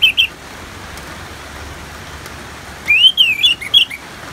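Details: Orange-headed thrush song in the ngeplong style, used as training therapy for kept birds: a brief whistle at the start, then a clear rising-and-falling whistled phrase with a few sharp notes after a pause, over steady rain-like hiss.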